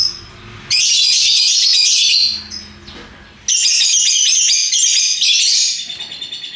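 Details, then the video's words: Lovebirds of various colours giving their ngekek, a long, vigorous chattering song: two sustained bursts of dense, harsh, high-pitched trilling chatter, each lasting one to two seconds, separated by a short quiet gap. "Burung Lovebird Rupa Rupa Warnanya, Burung Paruh Bengkok, Bunyi Ngekek Gacor"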